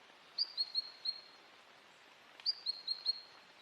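A Siberian long-tailed rosefinch gives two quick bursts of four high, thin whistled notes, each slurring slightly downward, over a soft background hiss.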